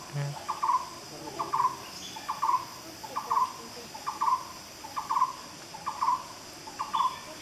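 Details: Black-browed barbet singing in Malaysian rainforest: a steady series of short, hollow, low-pitched phrases, about one each second, over a constant high insect drone.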